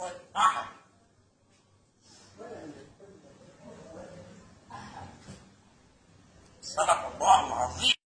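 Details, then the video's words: Parrot talking in Arabic with speech-like phrases: a loud harsh syllable burst at the start, a stretch of quieter murmured words in the middle, then a loud raspy run of syllables at the end. "Parrot Speaks Arabic Like a Native!"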